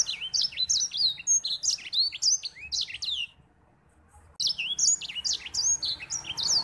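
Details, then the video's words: Energetic song of a white-rumped seedeater, meant to tutor other birds: dense, high-pitched twittering of swooping whistles and buzzy slurs, broken by a silent gap of about a second before the fast warbling resumes. "Suara Burung Edel Sanger Gacor untuk Masteran"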